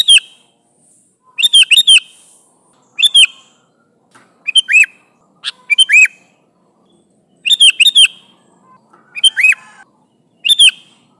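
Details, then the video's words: Chattering sooty-headed bulbul calling its companions: repeated short phrases of two to four bright chirps and slurred whistled notes, coming about every one to two seconds across the recording. "Suara Burung Kutilang Gacor Memanggil Temannya"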